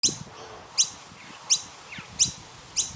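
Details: Noisy miner chirping from a tree in the morning in Australia: sharp, high, downward-sweeping chirps repeated about every three-quarters of a second, with a fainter call from another bird in between.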